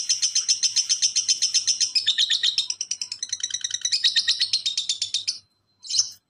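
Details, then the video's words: Speeding lovebird ngekek from a masteran recording: harsh high chirps packed tightly for five seconds, shifting pitch midway, then a brief pause and a final short burst. "Masteran Lovebird Ngekek santai dilanjut speed rapat burung diam pasti nyaut"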